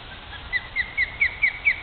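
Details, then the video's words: Osprey at its nest in Great Neck, New York, one of a male and female pair defending the nest from a person: six short, high, downslurred whistled chips, about one every quarter second. "Nesting pair of Osprey's"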